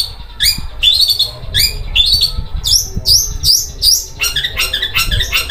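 Long-tailed shrike giving harsh, rasping notes in quick bursts about every half second, like a rough sewing machine, over a low background rumble.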